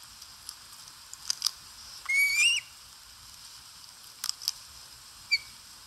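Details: Osprey at a nest while eating, live nest camera in Satakunta, Finland, 4 August 2022: one loud rising whistled call of about half a second, later a faint short whistle, with scattered clicks and taps.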